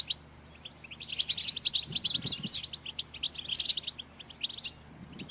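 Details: Many European goldfinches calling together, a recording meant to excite males into song: a dense, overlapping chorus of high, quick chirps and twitters throughout, over a steady low hum.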